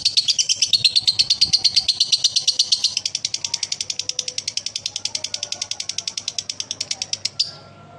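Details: Male lovebird ngekek: a long high rattling trill. It is rich and buzzy for the first three seconds, then continues as thinner rapid pulses until it stops abruptly after about seven seconds. Faint indoor background sounds.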